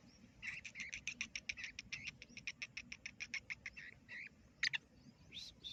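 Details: Black francolin chick giving a fast, steady string of short high peeps, about four a second, then a few drawn-out squeaky notes, over a constant low rumbling background hiss.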